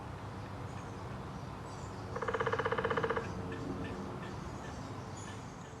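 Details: At Lake Dallas, Texas, a Downy Woodpecker gives one rapid, even drum roll of about fifteen beats in roughly a second, over a steady low background rumble.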